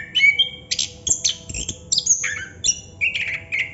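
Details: Chestnut-capped thrush in continuous 'ngerol' song, packing bright high whistles and buzzy mid-pitched bursts into dense, unbroken phrases over a faint low hum.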